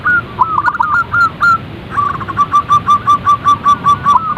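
A zebra dove gives a few soft, mid-pitched cooing notes, then a quick even series of about a dozen short staccato coos, roughly three per second.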